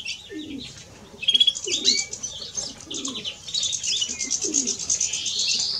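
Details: Male and female European greenfinches give dense high twittering song: quick chirps and short rattles, then a sustained buzzy wheeze building toward the end, over soft low background noise.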